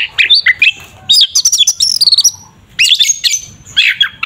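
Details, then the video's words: Oriental magpie-robin giving 'tarung ngeplong' fighting song to stir up a rival: rapid, rich warbled phrases of bending whistles and chips, in three quick bursts with short breaks. "Suara burung Kacer TARUNG NGEPLONG sangat efektif untuk pancingan Kacer agar emosi"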